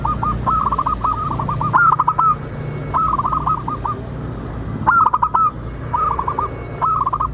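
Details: Local zebra dove song meant to make other doves sing and respond: crisp phrases of four to six rapid coo notes, roughly one phrase each second, some ending in a slightly longer note, with faint clicks.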